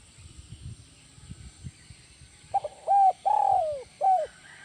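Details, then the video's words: Soft low rumbling noise for about two and a half seconds, then a spotted dove ('kuk 1 melambung' tekukur) gives stuttered notes, a short coo, a long falling throbbing coo and a final short coo. "SUARA BURUNG TEKUKUR IDAMAN KUK 1 MELAMBUNG"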